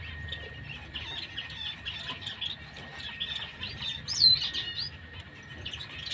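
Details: Soft, continuous high-pitched chirping of white-headed munias, many short thin notes overlapping, with one sharper, louder squeak standing out near the end and a faint steady hum beneath.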